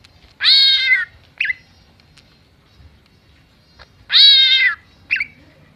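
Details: Greater green leafbird imitating cat and chicken sounds. It gives two drawn-out, mewing cat-like calls, each followed about half a second later by a brief clipped chirp, with near silence between.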